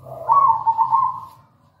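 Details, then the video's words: Song of a local zebra dove, played to prompt other doves to sing: a single rolling coo phrase of quick bubbling pulses, rising in strength and then fading, with a faint low hum in the background. "PANCINGAN PALING AMPUH PERKUTUT LOKAL GACOR"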